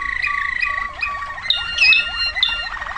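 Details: Waterslager canary, 2009, singing quick rising slurred notes repeated in series, mixed with brighter bubbling whistles and a steady background tone.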